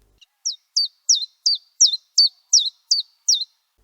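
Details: Common chiffchaff, a small bird of about 7 g, singing a steady string of high, sweet notes, about three per second, endlessly repeating two alternating pitches in the familiar chiff-chaff pattern.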